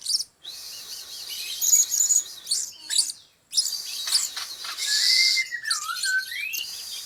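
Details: Blue-crowned hanging parrot decoy calls, used as a lure to attract the birds: thin, high squeaky chirps in bursts, with a lower whistled note sliding up and down near the end.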